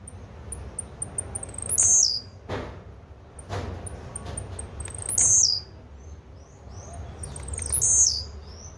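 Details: Three high, wheezy buzzes from a blue-black grassquit, each introduced by a row of tiny clicks, roughly every three seconds; low-pitched background noise and a few soft thuds.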